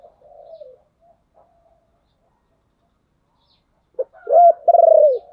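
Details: Spotted dove used as a decoy to call in wild doves. A soft low coo comes first, then a pause, then a clipped note, an arched coo and a rapid pulsed coo to close.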